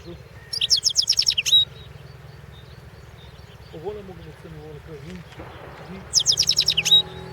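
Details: Goldfinch entered in a 2016 world goldfinch song competition; two quick phrases of evenly repeated high, ringing notes about five seconds apart, with faint low murmuring sounds in between and steady background hum.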